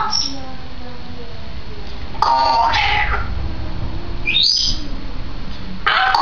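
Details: Female grey parrot, two years old, kept at home, recorded 16 May 2010: a scratchy squawk, then a sharp whistle sweeping steeply upward, and a final short harsh call, all over a faint low hum.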